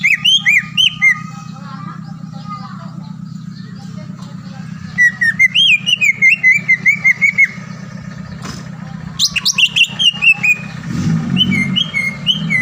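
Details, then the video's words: Green leafbird song used as a lure to make a rival leafbird sing at once and grow agitated: bursts of clear, sliding whistled notes and quick chattering phrases, over a steady low engine-like hum that swells into a louder rumble near the end. "PANCINGAN CUCAK IJO GACOR AGAR CUCAK IJO LAWAN SEKETIKA LANGSUNG BUNYI DAN EMOSI"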